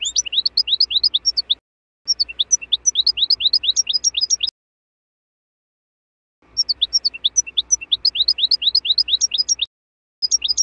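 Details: Wild European goldfinch natural song, used for training young birds of the season: quick, tinkling, high twitters in bursts of two to three seconds, with short pauses between phrases.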